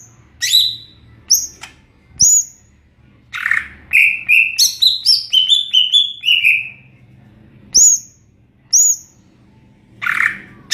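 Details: Greater green leafbird, cucak ijo, singing in ngeplong style: loud clear whistled notes sweeping down from high pitch, runs of rapid descending slurred phrases, and short harsh bursts, all in bright high register.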